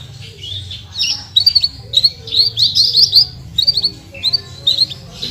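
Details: Caged branjangan, Horsfield's bush lark, delivering 'full tembakan' song: rough, squeaky high phrases in clusters of rapid notes with short gaps, somewhat masked by a steady low hum.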